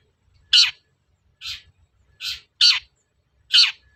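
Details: Long-tailed shrike sounds used as a lure to make shrikes sing: five loud, harsh, rasping notes, unevenly spaced about a second apart, with a faint low rumble underneath.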